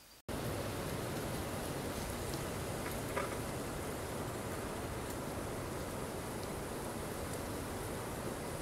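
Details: Steady broadband rushing, like rain or wind, fills the recording after a brief silent start, with only a faint knock near the third second and no animal voice.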